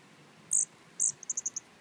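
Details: A Costa's hummingbird, believed a young male that perches near a pool feeder and chases other birds off it, gives two thin, very high notes, then a quick run of five sharp ticking chips, over a quiet background.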